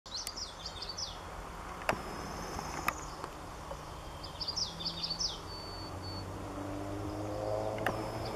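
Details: Common yellowthroat singing at Daly Point: two bursts of quick, rolling, high wiggly phrases repeated three or four times, separated by a few seconds of quiet, over low steady traffic-like rumble and faint sharp clicks.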